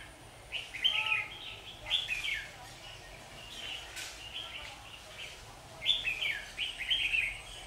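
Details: Red-whiskered bulbul in a fighting encounter at a trap, 27 September 2019: loud chattering, warbling phrases in bursts about a second long, with a pause mid-clip and sharp knocks between.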